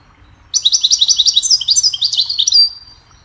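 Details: Goldfinch song played to teach and train songbirds: a rapid two-second phrase of bright tinkling chirps and liquid twittering trills, about fifteen quick notes, with a clean, quiet background.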